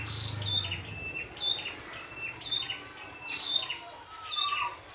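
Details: Red-headed prinia singing in the wild, clear high whistled notes with buzzy endings in regular phrases roughly every second, against a low humming background.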